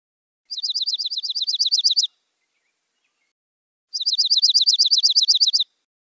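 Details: Dark-eyed Junco (Junco hyemalis) gives two bursts of a ringing, metallic trill on one steady high pitch, likened to a car alarm, each about a second and a half of rapid notes.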